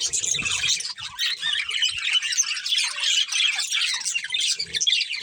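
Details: Breeding pair of colourful pet budgies singing: a continuous, busy stream of high scratchy warbles and squeaky chirps, with a faint low rumble near the start.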